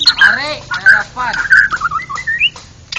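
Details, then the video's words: Contest-winning white-rumped shama in ngeplong style at a songbird competition, delivering rich harmonic downslurred notes in quick bursts, then a chain of short whistles climbing step by step in pitch. "burung berkicau Murai Batu Ngeplong gacor Juara Nasional"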